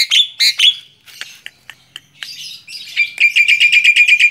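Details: Tame Javan myna perched on a hand gives loud squeaky calls and scattered ticks, then finishes with a quick, even trill of repeated high notes.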